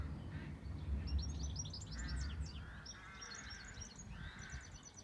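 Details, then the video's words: Wild birds singing on a farm, relaxing and restful: quick bursts of high, sharply sliding chirps and trilled notes in overlapping phrases, over a steady low rumble of background noise. "Nature and peaceful sound of Birds"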